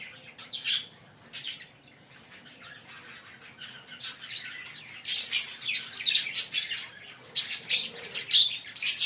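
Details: A green pair of Fischer's lovebirds chirping: sharp high chirps and short squeaky notes in scattered bursts, quiet at first, then louder and denser clusters in the second half.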